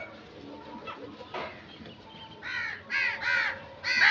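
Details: Crow calling: after a quiet, rustling start, three or four loud, raspy caws arrive in close succession, the last one cut short.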